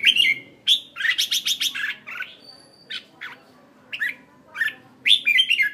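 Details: A red-whiskered bulbul used as a decoy bird in Hanoi sings short bursts of bright, chirpy, warbling phrases, some rapid runs of four or five notes, separated by brief pauses, over a faint background hum.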